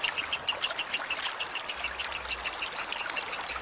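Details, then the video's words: Training recording of a lovebird: bright, high, clipped chirps repeated roughly three times a second in a regular rhythm, over a light hiss and a faint low hum. "Masteran Lovebird"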